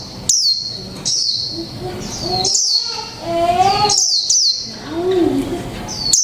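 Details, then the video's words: One-month caged khuyên mộc Japanese white-eye in líu pha chòe trống song: spaced high, piercing downslurred chirps about once a second, with lower warbled sounds and soft background murmur between them. "chú chim khuyên mộc tinh 1 tháng lồng '' LÍU PHA CHÒE TRỐNG '' cực hay"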